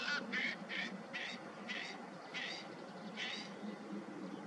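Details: Bar-tailed godwit (Limosa lapponica) giving harsh, nasal barking calls about every half second, over a steady wash of background noise.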